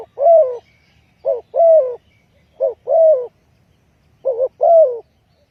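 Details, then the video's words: Spotted dove used as a trapping lure, four phrases each pairing a short coo with a longer descending croo about once a second, a faint thin whistle above the first phrases. "Chim cu gáy chiêu kích mồi tập bổi nhanh nổi hiệu quả"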